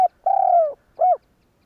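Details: Spotted dove calling to stimulate other doves into cooing. The tail of one note gives way to a long, mellow, slowly falling coo and a short rounded final coo. Silence follows.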